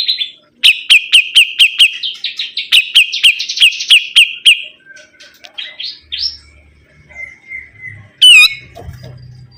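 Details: Sibuntung bird singing actively: a fast run of sharp, repeated chirps near the same high pitch, then scattered rising notes, a brief squeaky burst and faint low rumbling.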